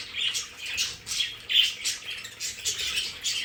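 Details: Captive pet budgerigars in a home play area give a steady run of raspy squawks and warbled chirps, several per second, loud and unbroken.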